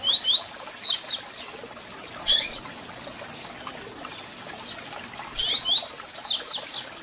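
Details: Double-collared seedeater song with call notes, played to excite and warm up a captive bird: fast runs of high, sharply slurred whistles in two bursts, split by a lone sharp chip, over steady hiss.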